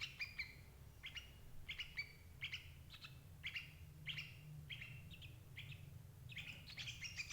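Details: Sooty-headed bulbul calls played as a lure for trapping adult birds: a bright, clear run of short whistled notes that slide downward, given about every half second, with faint low rumble beneath.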